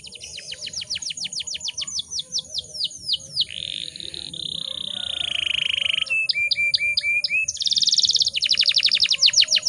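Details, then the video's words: Female canary in breeding condition, calling to make male canaries sing: rapid descending chirp runs, a long buzzy roll, short clipped notes and a dense high trill, with a faint hum below. "PANCINGAN KENARI BAHAN AGAR CEPAT BUNYI"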